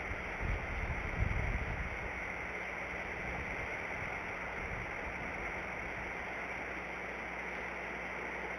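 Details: A steady electrical hum and rushing, water-like background noise with a brief louder thump near the start. No calls are heard.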